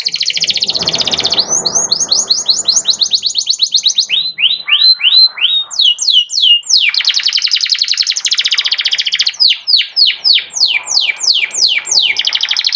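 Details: Canary song meant to provoke other canaries into singing: loud, fast high rolls of rapid repeated notes, broken by series of steep down-slurred chip notes and long buzzy trills, continuous throughout.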